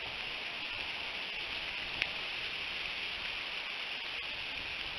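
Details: Steady hiss of rain with one sharp tap of a drop near the two-second mark; no animal calls.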